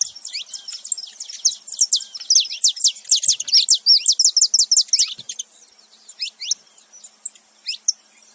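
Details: Male and female saffron finch together: a fast, busy run of high chirps and slurred notes building to a dense rattling burst midway, then sparser single chirps.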